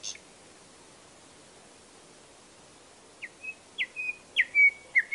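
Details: Nightingale singing after a quiet start: a short series of clear, rising then level whistled notes that grow louder and come closer together over the last two seconds.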